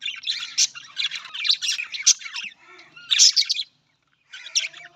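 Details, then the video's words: Budgerigars chatter in fast scratchy bursts of high chirps and squawks, with short pauses between runs of warbling. "Australian parrot voice Budgies parrot"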